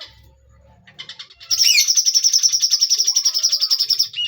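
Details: Bulbul song building from scattered soft notes into a loud, sustained high trill of rapid buzzy pulses running for nearly three seconds.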